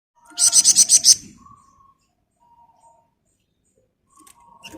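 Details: Flamboyan bird singing in a dense, rapid 'ngebren' style: a burst of about seven sharp, high, ringing notes in quick succession, then near silence with faint low whistles and a brief rustle at the end.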